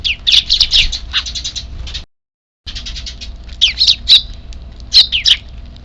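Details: Semi-wild Eurasian tree sparrow chicks in Japan begging on 3 April 2024 ahead of their evening meal; a dense run of shrill, rasping chirps, a brief silent break, then more scattered sharp down-slurred notes.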